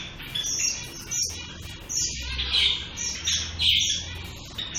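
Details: Shaft-tailed finches, more than one bird, giving high chirping calls in short bursts with brief pauses, some notes louder and fuller, over a soft low background rumble.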